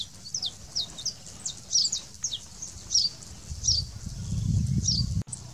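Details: Saffron finch in the wild, giving a series of short high chirped notes with rapid downward sweeps, repeated irregularly, while a low rumbling noise builds toward the end and ends in a sharp click.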